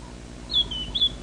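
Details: Hidden White-browed Scrub Robin singing from the tops of trees during a sunrise drive, June 11, 2017: two loud, pure high whistles, each sliding slightly down, about half a second apart, with a low vehicle drone beneath.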